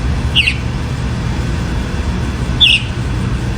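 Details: Sabiá-do-campo, the chalk-browed mockingbird, gives two brief bright chips about two seconds apart against constant deep background rumble.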